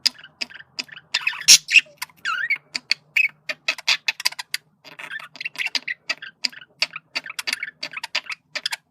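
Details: Male budgerigar communicating, heard as dense rapid clicking and ticking with brief chirps and a few short curving whistled notes scattered through the chatter.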